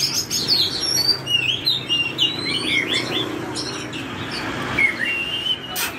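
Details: Drop-shaped Oriental magpie-robin delivering its forest-voice song, a quick string of bright whistles, short trills and downward slurs at high pitch, with steady low rumble behind and a few knocks near the end.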